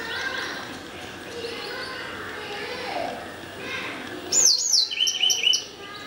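White-browed wagtail giving a quick burst of sharp, high chirping notes near the end, after several seconds of murmuring background noise.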